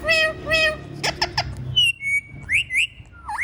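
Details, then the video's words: Pet ringneck parrot talking and dancing: two drawn-out, voice-like harmonic notes, then a burst of sharp clicks, a long level whistle, and rising, slurred squawking whistles to finish. "Funny Parrot Talking and Dancing"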